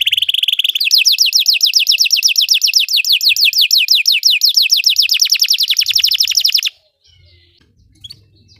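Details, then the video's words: Belgian canary song opening on a held whistled note, then a long fast trill of descending notes lasting about six seconds before stopping abruptly into near silence. "Belgian canary singing makes your canary sing"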